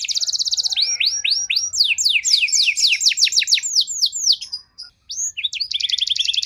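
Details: Canary song meant to prompt an underperforming canary to respond: a dense buzzy trill, then a series of descending whistled sweeps quickening into rapid notes, a brief pause, and another fast trill.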